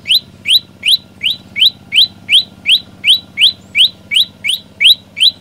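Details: About fifteen crisp rising notes from an olive-backed tailorbird, delivered in an even, rapid series of almost three per second, loud and insistent over a quiet low hum.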